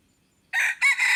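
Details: Decoy crow of a red junglefowl, recorded 10 March 2022 for luring wild birds. A quiet lead-in gives way to a raspy, loud two-part crow: an opening burst, a short dip, then a long, harsh held note that is abruptly cut.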